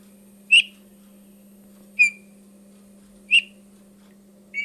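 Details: Eurasian bullfinch, a winter visitor from the north that sings simple songs in winter, gives soft, mellow piping whistles: four short notes about a second and a half apart, over a low steady electrical hum.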